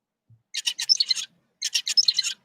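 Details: Tutor zebra finch's song from a lab study comparing it with a pupil bird having reduced FOXP2. Two rapid bouts of clean, buzzy, harmonic syllables, each about three-quarters of a second, separated by a short pause.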